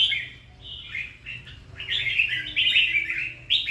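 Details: Bubbly warbling from a red-whiskered bulbul: a few quieter chirps first, then a louder, tumbling phrase of quick sweeping notes and a final high burst, over a faint steady hum.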